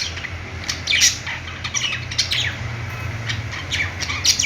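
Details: Playing budgies give sparser, clearer chirps: quick falling and rising notes spaced about half a second apart, a few louder squawks, over a noticeable low-pitched hum.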